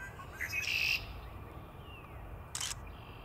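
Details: Red-winged blackbird at a local nature preserve on a warm early-March day after returning in spring gives a harsh, buzzy call with a thin whistled edge, then a brief dry chip, over a low background rumble.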